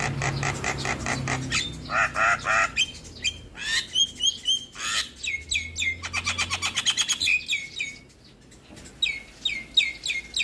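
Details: Javan myna singing, meant to lure other mynas into song: dense harsh chattering, rapid clicks and squeaky rising notes, a short pause, then more bright chirps.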